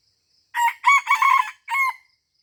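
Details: Red junglefowl crowing in Aceh, recorded during luring at a deer park; a short hoarse crow broken into four harmonic bursts across about one and a half seconds, the final syllable drawn out, with quiet surroundings.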